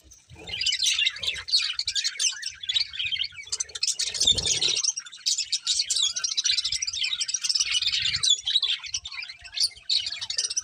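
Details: Steady scratchy high chatter of chirping budgerigars, a colourful breeding pair, continuing without pause, with a short low thump partway through.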